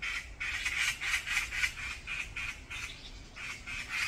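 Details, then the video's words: Brown-eared bulbuls fighting noisily in a group on a mountainside, giving harsh, rapid squawking calls in overlapping bursts around the same mid-high pitch, about four per second, with no pause through the whole stretch. "#직박구리싸움#온산이 #패싸움 으로 #난리가 났습니다"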